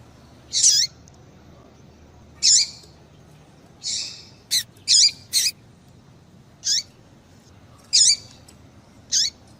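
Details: Piping of a female papa-capim seedeater, used to rouse a male: high, clipped chirps with downward tails, spaced one to two seconds apart, with a brief cluster of three quick notes midway, over faint hiss.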